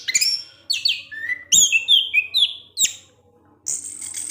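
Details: Captive orange-headed thrush delivering ngecip ngecis teler song: a descending run of clear whistled slurs, then a chain of bright sliding notes, a sharp chip, a pause and a closing high buzzy trill.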